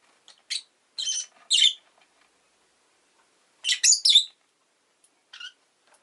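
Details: Scratchy, high-pitched chirping from a rosy-faced lovebird: a short cluster of rasping calls, a silent gap, another burst of shrill squawky notes, then one softer chirp.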